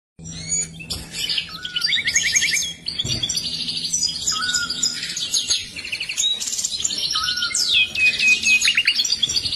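A goldfinch × bullfinch hybrid sings a fast, continuous twitter of high tinkling notes, rapid trills and buzzy nasal phrases, with a faint low hum behind.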